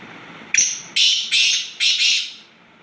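A black francolin gives a sharp opening click, then four loud, harsh, grating notes in quick pairs over about two seconds, against faint background hiss.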